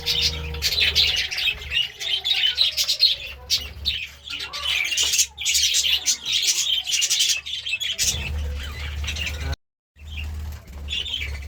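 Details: Budgies chirping in the morning, scratchy high warbling chatter with squawky notes, pausing briefly near the end before resuming, low hum underneath.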